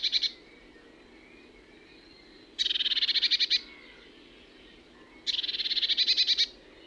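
Eurasian blue tit giving high, rapid trills: two bursts of a dozen quick notes, each about a second long, nearly three seconds apart, over a quiet background.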